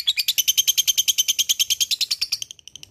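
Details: Lovebird ngekek: about two dozen crisp, high, evenly spaced notes in two and a half seconds, ending suddenly and leaving a few faint notes.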